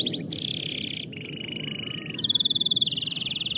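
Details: Canary performing song intended to train young birds: continuous rolling trills shifting between pitch levels, ending in a louder pulsing high trill.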